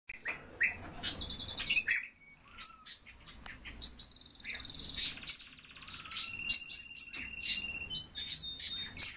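European bee-eaters give rolling, purring 'prruip' notes, trilled and repeated in overlapping bursts as several call together, with sharper high chirps mixed in.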